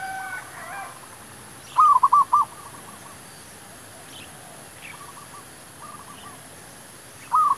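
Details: Zebra dove singing as wild doves are lured for trapping: short, loud, quickly repeated arched cooing notes in clusters of four to six. A softer distant series and quiet background follow.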